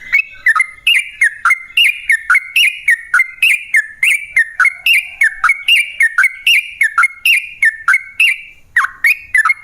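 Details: Yellow-vented bulbul singing long, rapid phrases as a lure to make other bulbuls answer: bubbly whistled notes with falling slurs, repeated in a lively, steady rhythm for the whole stretch.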